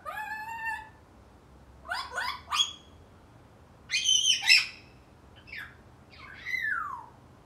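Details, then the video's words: Eight-month-old pet male African grey parrot chattering at home: a slurred whistled note, then bursts of sharp squawky upsweeps and a loud grating squawk, ending in a downslurred whistle. "African grey 8 months chatter"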